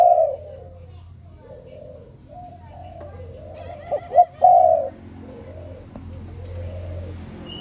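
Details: Morning cooing of a spotted dove: several soft, low, rounded coos, then two sharp rising notes and a loud sustained coo, followed by more muted coos in the background.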